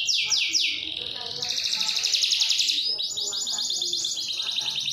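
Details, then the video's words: Canary song used as a master and lure recording for other birds: long, fast, bright rolling trills, shifting between rapid repeated notes and slightly lower churring rolls without pause. "SUARA KENARI NGEROL PANJANG AMPUH UNTUK MASTERAN"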